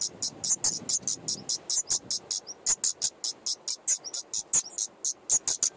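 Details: Five common nightingale chicks in an attic nest, daytime, 15 May 2014, both parents feeding them, GoPro camera beside the nest: steady fast run of shrill, very high hissing notes, about four per second.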